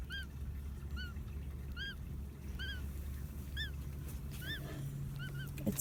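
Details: Unhatched duckling inside its egg, described as snoring: soft, thin arched peeps repeated roughly every second, over a steady low hum.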